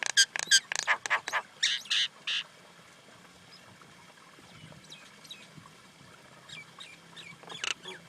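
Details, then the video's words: Common Indian myna bursting into loud harsh chattering for about two seconds, followed by faint scattered chirps and a final sharp note. "Common Indian Myna sound"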